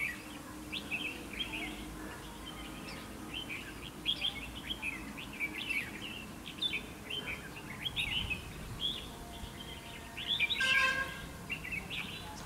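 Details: Red-whiskered bulbul decoy song used in a trap to provoke fighting; a long run of rapid chirpy, warbling notes repeated steadily, a brief harsh burst near the end, over low background hiss.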